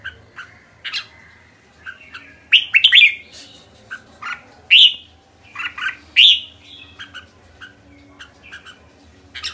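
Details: Kekek call of the red-whiskered bulbul, loud bursts of harsh, quickly rising chirps separated by quieter scattered ticks, with a low hum throughout.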